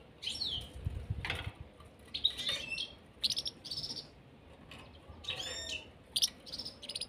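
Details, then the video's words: European serin pair kept in a cage, giving a run of high, thin twittering phrases with fast buzzy trills and squeaky notes, broken by brief pauses, with a faint low rumble underneath. "serin cini en couple dans la cage"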